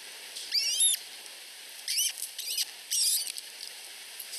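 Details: Two osprey (Pandion haliaetus) chicks under a week old in a nest in Finland, begging food from their mother: high, thin squeaky chirps in three quick bursts, some notes slurred up and down, over faint hiss.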